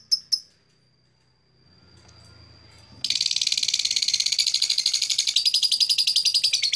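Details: Blue black-masked lovebird: two sharp chirps and a thin faint whistle, then a sudden burst of rapid, continuous buzzy high chirping repeated several times per second.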